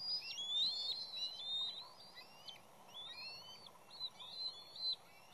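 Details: Bald eagles at the West End nest, where a third, intruding juvenile causes havoc with the chicks and parents. High, thin whistled chittering notes with slurred upward and downward glides come in quick irregular bursts over a steady low rumble.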